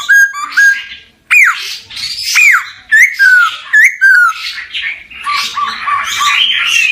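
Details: Male laughingthrush with sharp falling whistles and quick chattering phrases, loud and varied, ending in a dense burst of overlapping notes.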